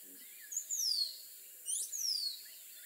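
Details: Rose-throated becard giving two descending whistled phrases about a second apart, the second opening with a brief upswept note before the long falling slur; faint bird twitters underneath.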